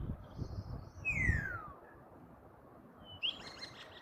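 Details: Common starling giving a long clear whistle that glides smoothly downward, then after a pause a short upward-flicking whistle, with low background noise.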